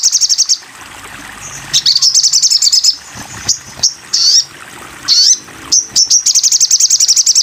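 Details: Sogon bird singing on a masteran tutoring recording: bursts of rapid, high, buzzy repeated notes, about three per second, broken by sharp chirps and short whistled slurs.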